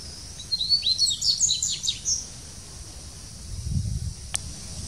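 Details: Dubois's seedeater (Sporophila ardesiaca) at São Paulo Botanical Garden, Brazil, 6 January 2019: a quick, high, twittering phrase of sharp chirps and slurred notes under two seconds, then a low background rumble and a single click.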